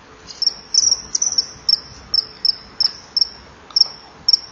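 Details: At a kingfisher nest wall at 19:09 on 24 July 2015, a female fends off a begging juvenile before the pair mates; thin, shrill, very high whistled notes come about two per second over a faint low hiss.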